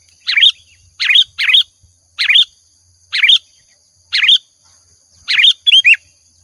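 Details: ['Sooty-headed bulbul lure song from a lively bird: loud, bright phrases of two or three slurred notes repeated about once a second with short silences between, a faint steady high whine behind.']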